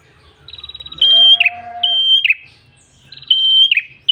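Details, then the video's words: Red-headed tailorbird lure song: quick ticking trills lead into sustained shrill whistles that drop at the end, repeated several times; a lower steady tone overlaps one phrase. "MASTERAN PRENJAK KEPALA MERAH GACOR SUARA NGALUN ENAK COCOK UNTUK PIKAT/PANCINGAN BURUNG ANDA"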